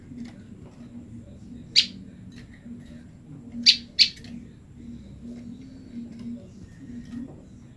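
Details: Female olive-backed tailorbird kept apart from her mate and calling to him: one piercing high chip, then two close chips two seconds later, over low background rumble.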